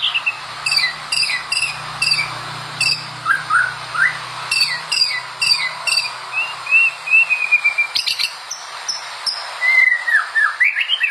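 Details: White-rumped shama in full song, used as a master recording for training shamas: a varied, rapid run of sharp clicks, short high chips, and slurred whistles, some rising and some falling, with pauses and a dense burst near the end.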